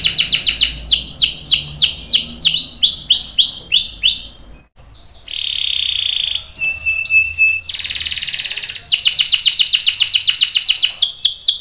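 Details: Canary singing long rolls as a master for training young and adult canaries; sweeping downslurred notes slow into a held buzzy roll, a short whistled tone, then bright rapid trilling.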